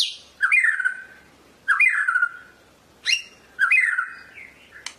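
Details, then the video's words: Medan white-rumped shama singing four similar loud phrases about every 1.3 seconds, each a sharp high note dropping into a fluty, slightly buzzy slurred whistle, ending with a few thin high notes. "SUARA BURUNG MURAI MEDAN SUPER"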